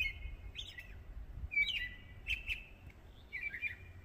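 A robin sings short, sweet warbled phrases, high and fluttering, about four in quick succession, over a low steady rumble.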